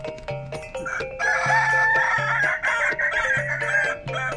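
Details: Kokok Balenggek rooster, an Indonesian breed from Solok, West Sumatra, at a crowing contest. The crow is melodious and tiered, 3 to 12 lenggek. A long, stepped crow with several level tones is heard over steady mallet-like percussion music.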